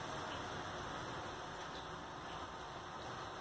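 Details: An even electrical hiss with a faint hum runs through the whole recording.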